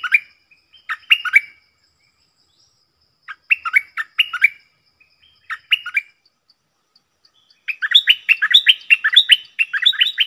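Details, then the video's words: Cream-vented bulbul, 18 June 2021, doubled 'phleng boen' song: spaced groups of crisp whistled notes build into a dense, fast, chattering run at the end. "เสียงนกดอกแตงEp.59 Birds sounds เพลงเบิ้ลของเจ้าเพชร!!Merbah lekir gacor"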